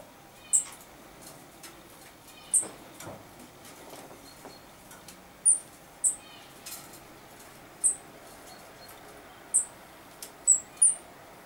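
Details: Common chaffinch recorded on 14 August 2013. Very high, thin, short call notes come singly at irregular intervals of one to two seconds, with a couple of quick pairs near the end, over a quiet background with faint clicks.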